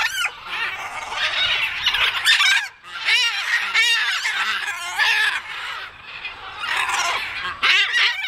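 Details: Several macaws waking up in a bird park in Athens, Greece: a dense chorus of loud, harsh, raspy squawks overlapping almost continuously, with only a brief lull partway through.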